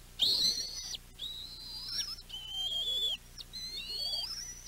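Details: Young bald eagles on the West End nest on 7.6.23 cry out in alarm as the mother flies in with a fish. Long, high whistled wails are held for about a second each, four drawn-out notes with short breaks between them.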